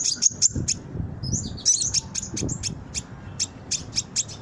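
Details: Training lure of brown-throated sunbird song. It opens with sharp, high chirps and a brief buzzy trill, then continues as spaced, thin ticking notes, with low rumbling noise in the background.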